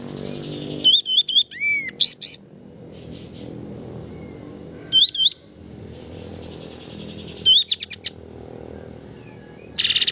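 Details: Tutor recording of a sooty-headed bulbul singing actively: clusters of sharp, high chattering notes with rising and falling whistled slurs, separated by pauses, over a constant high-pitched tone and low hum.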